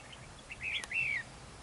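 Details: Red-whiskered bulbul at a fighting trap, singing during a territorial contest with a decoy bird: a short whistled phrase, then a longer clear whistle that arches up and slides down, over quiet rural background noise.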